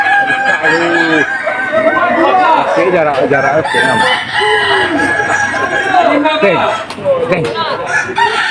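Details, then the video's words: Kukuak Balenggek roosters crowing in the top Boko class final of a singing contest at Sawahlunto, West Sumatra, in 2025; several overlapping long harmonic crows with stepped, tiered endings over constant crowd chatter. "Ayam kukuak balenggek terbaik tampil di final klas boko di Sawahlunto"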